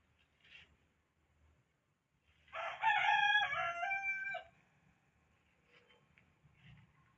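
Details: Domestic chickens: after a brief faint cluck, a loud crow bursts out about halfway in and holds for nearly two seconds before cutting off, followed by soft scattered clucks.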